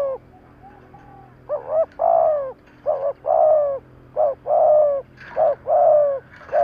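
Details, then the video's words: Decoy spotted dove calling in provocation training, giving steady paired coos, a brief wavering note followed by a drawn-out descending one, about three pairs repeated every one and a half seconds, clear and close. "Cu gáy thúc gáy kích bổi tập mồi cực nhạy"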